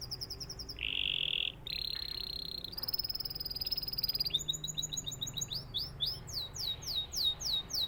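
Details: Canary song made of rapid trills and buzzy rolled phrases, shifting to a run of fast descending whistled sweeps repeated several times a second.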